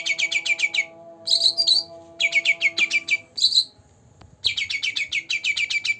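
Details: Captive green leafbird aged two months sings rapid trains of high, clipped notes separated by warbled flourishes. A faint tonal hum and a soft click are audible in a pause.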